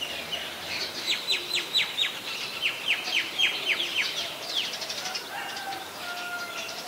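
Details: White-vented myna recorded in Ubon Ratchathani, Thailand, on 18 January 2021. It gives a quick series of high, sharply descending chirps, about four a second, that fade into softer trailing notes against a faint outdoor background.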